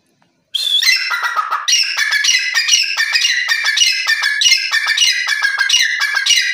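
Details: Francolin (teetar) calling: after a brief silence, a loud, harsh, rapidly repeated series of squawking notes runs continuously with little pause, rich in bright overtones, over a quiet background.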